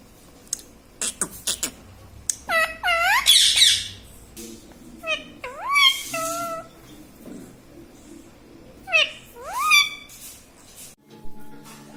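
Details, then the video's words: Green ringneck parrot kept as a pet, chattering and talking: quick clicks and short squeaks, then a run of rising, word-like syllables with pauses, faint room noise throughout. "Mummy Papa Bolunga || Talking Parrot || Mitthu Mitthu"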